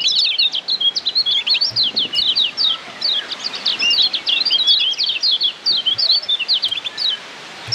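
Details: Lombok kecial kuning white-eye delivering a tutor song used to train caged birds, a long fast stream of high, sharply slurred chirps in dense bursts with brief gaps, nearly continuous throughout.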